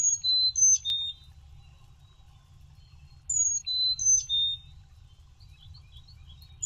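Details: A male chickadee sings to his mate at a nest box around 5:44 AM on 20 April 2023 as she lays her first egg. He gives two phrases of clear whistles stepping between high and lower notes, about three seconds apart, over a faint hum.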